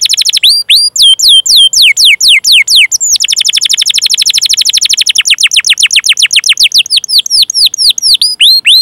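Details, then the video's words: Long-duration canary song for training canaries to sing: loud, steeply descending whistled cheeps repeated about twice a second, speeding into a rapid rolling run of downslurred notes, then slowing back to spaced cheeps. "Masteran Suara Burung Kenari Gacor Panjang cuit cuit Ngerol untuk Pancingan Kenari!"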